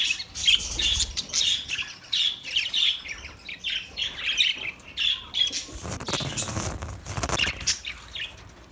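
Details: Steady series of high, slightly harsh chirps from an Australian parrot, about two per second, then a broad rustling burst near the end.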